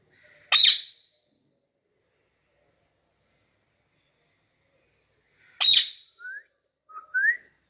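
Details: A green (Kiwi) Indian ringneck parakeet, a talking pet, gives two harsh, loud squawks about five seconds apart, followed by a few short rising whistled notes.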